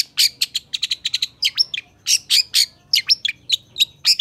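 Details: Long-tailed shrike in lively song meant for tutoring other shrikes: quick series of loud harsh chips interspersed with sliding whistled notes, delivered steadily.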